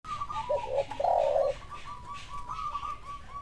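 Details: Spotted dove (tekukur) answering a lure call: a short run of low, hollow coos that swell and then break off, set against a faint steady higher tone and a soft background hiss.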